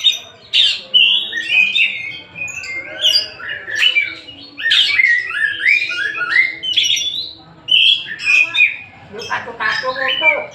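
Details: Oriental magpie-robin (kacer) from Tasik in full song, a dense, lively stream of whistles, chirps and scratchy trills with frequent pitch jumps and almost no pauses.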